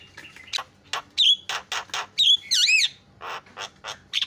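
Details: Javan myna (jalak kebo), a loud vocal master bird, giving spaced harsh rasping notes interrupted by sharp whistled slurs and a wavering squeal.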